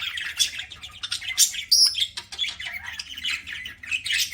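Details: Budgerigar warbling as it eats: dense, rapid squeaks, clicks and short whistled notes tumbling over each other without a break, shrill and busy throughout.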